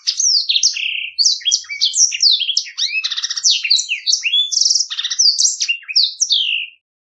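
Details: Black-throated canary, kept as a companion tutor bird for other songbirds, delivering a clear rolling song: fast, varied high whistled notes, slurred sweeps and buzzy trills, strung together almost without pause for nearly seven seconds, then stopping.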